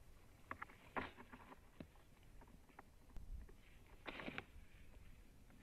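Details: A female white-tailed eagle at a Latvian nest calls during "eagle kisses" on February 14, 2017, at 13:05, giving two short bursts of rapid yelping notes about three seconds apart, over wind and knocking noise.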